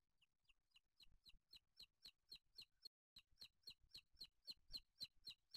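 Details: Booted eagle nest with chicks, Spain, 8 July 2023, male bringing a small bird for the older chick: soft high notes build into a regular fast series of piercing squeaks, about four each second.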